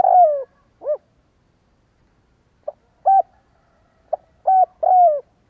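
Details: Spotted dove calls played as a lure: a long downslurred coo, then scattered short hooted notes. Near the end comes another full phrase of two hoots and a falling coo, all low and mellow with pauses between.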